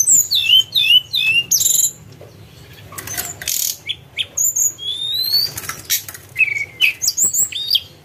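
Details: Tledekan gunung singing as a lure, quick high whistled downslurs and upslurs in energetic bursts, with loud rustling or flapping noise in the middle.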